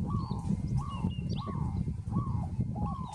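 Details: Peaceful dove calling: short, soft, arched coos that rise then fall, repeated about every half second. Each coo stands clearly above a constant low rumble, with faint high chirps from other birds.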